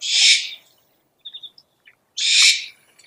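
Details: Owl lure sound with two long harsh hissing screeches and a few faint clipped chirps in the pause.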